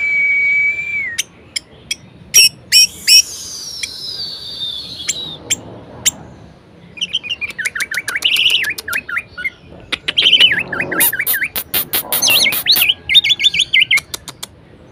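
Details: Caged Orange-headed thrush in full varied song, used to stir lazy birds into singing: clear whistles gliding downward, then warbled, quavering phrases mixed with sharp clicks and chips, delivered in busy bursts with short pauses.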